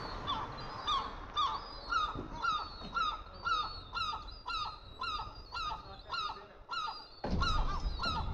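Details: Young gulls being fed by a parent: a steady run of harsh, squealing notes, each dropping slightly in pitch, repeated about twice a second with a brief louder burst near the end.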